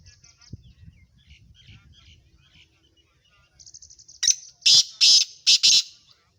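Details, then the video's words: Sindhi black francolin calling: after faint scattered chirps, a loud harsh phrase of four rapid, strident high notes over about one and a half seconds ends the recording. "Sindhi laka Kala teeter 1 mint main 8 KO speed"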